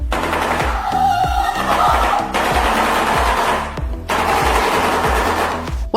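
A shoebill's rapid, hollow clatter rattles like a machine gun in two long bursts, with background music playing throughout.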